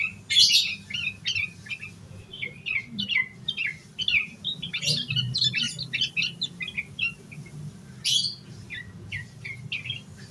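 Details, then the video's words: Yellow-vented bulbul in energetic, fill-packed song meant to spur other bulbuls into singing; short bright chirpy phrases of bubbly whistled notes come in quick bursts separated by brief gaps, with a soft low hum underneath. "Suara Burung Trucukan Gacor EMOSI KOSLET Full Isian Buat Pancingan Burung Trucuk Agar Cepat GACOR"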